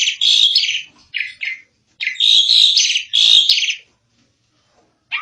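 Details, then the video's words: An Asian pied starling, locally jalak suren, sings energetically for a training recording, giving loud harsh buzzy bursts mixed with short whistles, three main phrases separated by silent gaps. "Kicau burung jalak suren |Burung kicau jalak suren masteran|jalak uren gacor"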